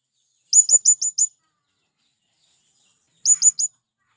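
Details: Male blue-crowned hanging parrot luring wild birds with its call: five rapid, high, thin rising notes, a long silent gap, then three more in the same pattern.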